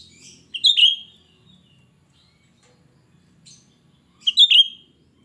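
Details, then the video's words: Shrill lure song of a chatty cucak rante, meant to attract untamed birds of its kind: two short bright whistled phrases about three and a half seconds apart, each a sharp rising note then a falling slur, with a faint note between. "Cucak Rante gacor ‼️Suara melengking Cocok untuk Pancingan cucak Rante bahan"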